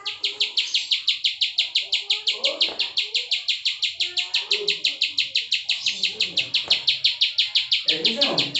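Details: Bar-winged prinia, ciwah prenjak klik style, delivering a long unbroken run of sharp high notes, evenly spaced about three per second, with faint rustling and low sounds beneath.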